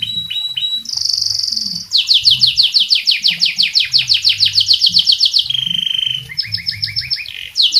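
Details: Canary singing continuously as tutor material for other cage birds: a long high whistle, then a rapid run of sweeping down-slurred notes, a steady lower tone, and quick repeated trills.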